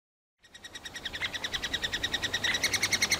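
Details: Three-toed woodpecker nestlings calling from a tree hole in Kalinovsky forest park, Yekaterinburg, demanding food from parents: rapid high squeaky chirps repeated about three times a second, starting after a brief silence and growing louder.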